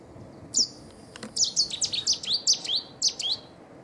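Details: Cetti's warbler at Newport Wetlands Reserve giving its territorial and courtship display song: a loud, abrupt burst of sharp, high, clipped notes in rapid succession, about ten emphatic chips over three seconds, over quiet background hiss.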